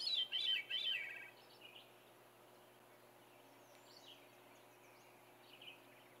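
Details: Veery singing on a cold morning in Saint-Antonin, Québec, on 14 June 2020; one reedy, fluted phrase spirals downward in the first second, followed by faint distant bird notes over quiet background.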